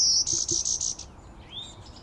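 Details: Male warbler, possibly part golden-winged, delivering its unusual chickadee-like call as a quick burst of about six high buzzy notes in under a second, followed by a faint rising note and soft background chirps.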